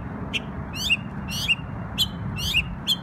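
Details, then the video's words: Memorial Day bird in New York utters short, high, buzzy chirps roughly twice a second, each bright and slightly rasping, over a continuous low droning background. "NY Bird Sings Beautiful Songs"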